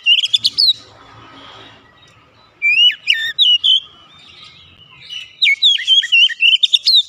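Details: Home-kept Oriental magpie-robin singing three phrases of bright, rapidly changing whistles and clipped notes, with soft background noise between phrases.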